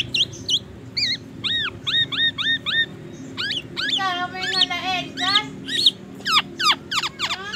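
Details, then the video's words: Black-naped oriole in full song, mimicking magpie robin and an ambulance siren: repeated clear downslurred whistles, then a rising wail-like sequence of stacked tones and sharp up-and-down notes over quiet background hum. "Kepodang emas gacor bongkar isian murai batu dan suara ambulance"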